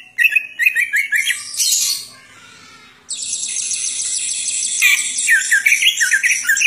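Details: Greater green leafbird giving isian song: quick slurred whistles and rapid buzzy trills, then a sustained, grating high chatter that turns into fast, looping whistled notes.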